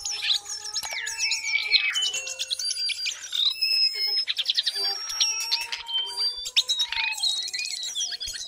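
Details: Lesser shortwing song: a dense, rapid jumble of thin high twitters and trills without pause, with a steadier, lower drawn-out tone running beneath for much of the recording.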